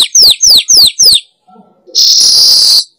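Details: Weaver lure call meant to draw wild birds: four loud, downward-slurred high chirps evenly spaced, a quiet pause, then a strident, buzzy hiss.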